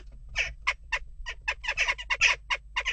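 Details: Western jackdaws unsettled at a nest box deliver a dense, fast stream of rough, throaty chak notes, overlapping and rising in intensity toward the middle, with little pause between calls.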